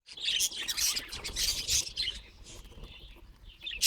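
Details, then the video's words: Pet budgerigar making strange sounds; dense, scratchy high-pitched chirping and warbling in uneven bursts, fading toward the end before a final sharp chirp. "내 앵무새가 이상한 소리를 내는 이유는 무엇인가요"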